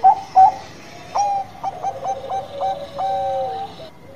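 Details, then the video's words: Bangkok-type zebra dove in full song: two sharp opening notes, then a rapid run of clipped repeated notes that flows into a sustained, slightly falling coo. "PERKUTUT BANGKOK GACOR"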